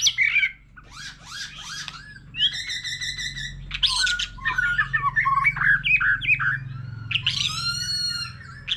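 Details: Old wild-caught white-rumped shama singing many phrases with a laughingthrush: harsh chatters, a rattling buzzy trill, scratchy jumbled notes and bright whistled slurs in varied succession.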